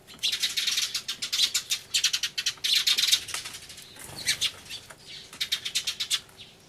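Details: Sparrows in an agitated, loud commotion beside a turtledove, filmed 24 March 2013 on an Everio camcorder: clusters of fast, bright, high-pitched chirps in rhythmic runs, a brief lull near four seconds, then renewed chattering.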